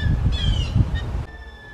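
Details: Backyard Blue Jays mobbing and dive-bombing a Red-shouldered Hawk perched high in a pine tree, trying to drive it away: two loud, harsh, nasal calls with rich harmonics, the first sliding downward, over a low rumbling background.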